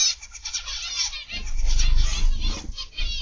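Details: Captive zebra finches in an aviary twitter in quick, high nasal bursts, while a swelling low rumble rises beneath the calls midway.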